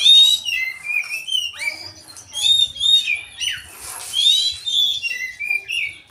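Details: Oriental magpie-robin singing energetically, tail spread, its song filled with mimicry of a grey-cheeked bulbul. Bright whistled notes, rising and falling slurs and scratchy bursts come in a dense, continuous stream over a quiet low hum.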